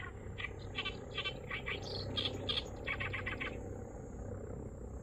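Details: Unusual song of an unseen Oriental reed warbler at Kurohama marsh in Hasuda, Japan: rapid runs of rasping, clicking notes, rising into sharper squeaky phrases midway, then a fast grating series, with constant low background hum.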